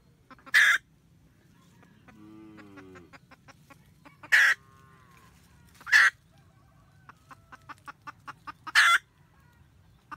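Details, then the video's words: Wild red junglefowl hen on nest guard, calling the male, recorded 2020-2021: four loud, harsh cackle bursts separated by series of short clucks, plus a low, drawn-out tonal sound early on. "Gà mái rừng cục tác gọi trống canh tổ"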